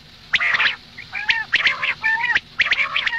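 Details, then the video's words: Female common quail in the morning giving four gravelly, nasal, buzzy calls within three seconds, each slightly falling at the end. "Madi batair ki awaz suba ke liye مادی بٹیر کی آواز"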